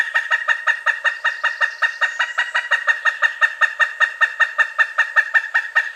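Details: Six seconds of continuous kuk-kuk-kuk calling by a pileated woodpecker, strong notes at an even, quick rhythm, with no other sounds.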